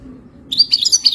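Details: European goldfinch singing for mating, a recording meant to help a captive goldfinch learn to sing: after half a second of quiet, a quick burst of high, bright twittering chirps.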